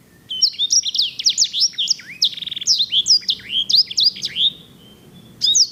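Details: Sanger (grey singing finch) in full song, the type prized for its lavish roll and used as a model for canaries: quick sequence of high whistles, slurred downward notes and brief buzzy trills, pausing before a final burst.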